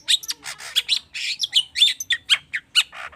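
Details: Long-tailed shrike agitated lure song with rich mimicked filler, used to get other birds singing. Dense scratchy chatter and squeaky, slurred whistles tumble together almost without a break.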